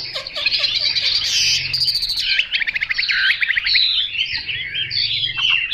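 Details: Chinese hwamei 'mộc dở' song, loud and dense: fast repeated notes, buzzy trilled stretches and curling whistled phrases in a high, sustained outpouring.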